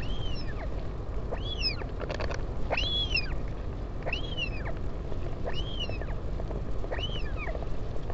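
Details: Parent visit at a northern royal albatross nest on Taiaroa Head near Dunedin, New Zealand, 16 July 2019, live camera. Six arched whistled whines repeat roughly every second, with a short rattling clatter near the start, over low wind.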